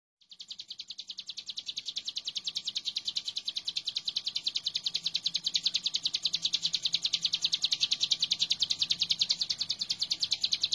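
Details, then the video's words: Hill prinia in vigorous song, meant as a master recording for training birds: a long, even run of sharp, high chipping notes, roughly two and a half per second, that builds in loudness over the first seconds and holds steady. "Ciblek gunung super gacor"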